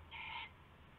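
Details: Owl at night on February 19, 2016, in the small hours around a rabbit being passed over and taken as prey; one harsh, harmonic call lasting about a third of a second over a steady low hum.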